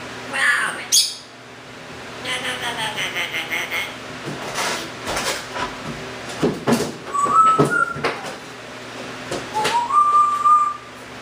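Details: Male Timneh African grey parrot from a bird rescue, kept indoors as a pet, giving short clear whistled notes, some level, some rising then falling, among clicks, knocks and scraping household sounds.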